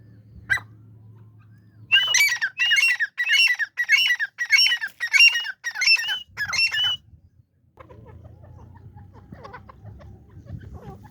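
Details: A female grey francolin, apparently a kept bird, gives a run of about nine harsh, squawking notes, each rising then falling, under half a second apart, with low hum before and after.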